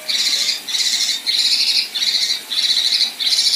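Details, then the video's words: Rough harsh phrases from a female Kinoi, the 'besetan' style: six rasping, buzzy bursts, each under half a second, delivered almost without pause in a steady rhythm. "Besetan Dan Tembakan Kasar Kinoi Betina"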